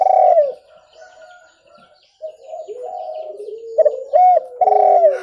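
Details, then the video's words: Spotted dove calling, a recording offered for luring birds. Loud mellow cooing notes come in short bursts at the start and end, with a quieter stretch of soft, drawn-out hooting in between. "SUARA TEKUKUR JERNIH COCOK UNTUK PIKAT"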